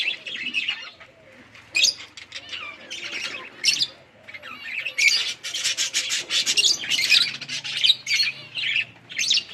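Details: Budgies enjoying a winter rain shower chatter continuously: harsh, scratchy chirps and squawks that come in uneven clusters, growing denser and louder toward the end.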